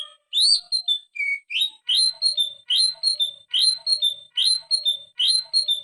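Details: Vigorous greater green leafbird in ngetrok style, full of fill-in phrases, recorded as a master for training birds: a repeated high whistled motif, a rising slur followed by a steady note, cycling about once a second.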